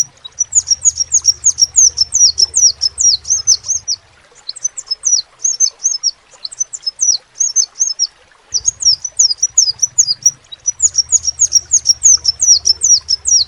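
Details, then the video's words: Crimson sunbird singing vigorously (gacor): very high, thin, sharply down-slurred chirps in rapid runs of about two per second, broken by a short pause, over a faint low hum. "SEPAH RAJA TERNYATA MEMPUNYAI KELEBIHAN DARI SEGI SUARA NYA YANG KHAS"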